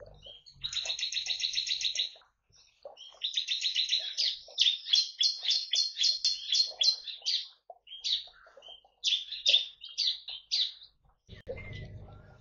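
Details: Bar-winged prinia in a colony aviary shared with white-eyes and finches, singing freely in its 'tembakan' style: rapid bursts of high, sharp repeated notes, fast chattering series broken by short pauses, ending with a low rumble.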